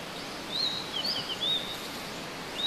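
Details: Blue-and-white flycatcher (Cyanoptila cyanomelana), a rarely seen singer, gives a few thin, high whistled notes, some slurred up or down, over the loud steady rush of a mountain stream.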